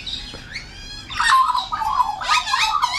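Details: Wild Australian magpies being fed fresh mincemeat in a backyard in the morning, with a noisy juvenile among them: rich warbling, gurgling carol notes with fluted tones rising and falling, loud and overlapping.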